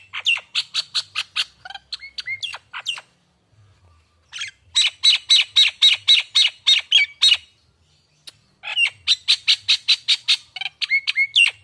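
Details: Pancingan lure calls for a bakalan Nias hill myna: three long bursts of fast, loud, chattering notes, roughly four per second, divided by short silences, with some lower, hooked notes mixed in.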